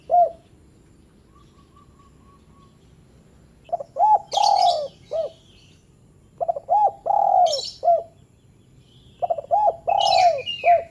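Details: Spotted dove calling to stir lazy doves into calling: three phrases about every three seconds, each of quick stuttered notes, an arched coo, a long falling coo and a short final note, with high chirps overlaid.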